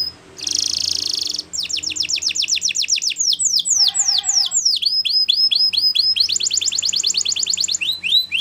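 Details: Young canaries in training hear this canary song: a brief buzzy burst, then long runs of rapid descending slurred notes, a faint lower stepped tone midway, and a fast high trill near the end.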